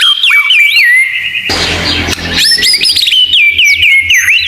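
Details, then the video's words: Murai batu (white-rumped shama) tutor recording with 'tembakan' fillers: bright whistled zigzag notes repeated about four per second, broken mid-phrase by a burst of harsh noisy rattle, then whistles resume. "Masteran Murai Batu Full Isian Tembakan"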